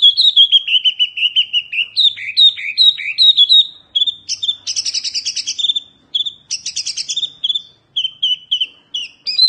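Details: Oriental white-eye giving a fierce song, suited as tutor material. Continuous high twittering alternates with buzzy, rasping bursts, and rapid chirps follow one another almost without pause.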